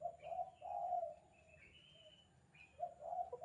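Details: Spotted dove giving its 'kuk 2' call, used as a master recording for training doves: two bursts of low, rich cooing notes separated by a quieter gap, with thin higher whistled sounds between them.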